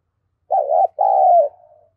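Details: A spotted dove kept as a decoy to draw in wild doves gives one soft, low coo phrase. A brief wavering note is followed by a longer, steady hoot that falls at the end and trails off quietly.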